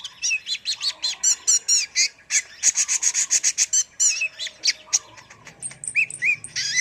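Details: Rapid, excited twittering from a kolibri ninja sunbird, a recording made for tutoring caged birds: very fast runs of high metallic chirps, several per second, ending in a few upward-sweeping whistles.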